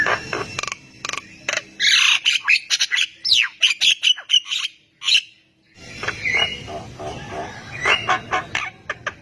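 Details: Javan myna singing vigorously and prompting other mynas to answer: a dense run of harsh clicks, rasping notes and short whistles, briefly pausing, then more scratchy chatter with loud background noise.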